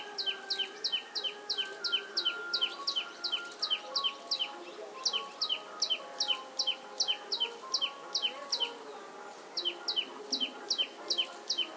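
Sparrows chirp busily, short bright notes overlapping at about two or three per second, with a faint low hum underneath.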